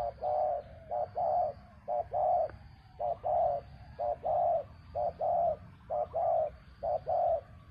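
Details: Spotted dove calling to lure a captive bird down, part of the traditional art of dove luring. Steady run of two-part coos, a brief stuttered note then a fuller drawn-out coo, eight phrases at an even pace over faint hum.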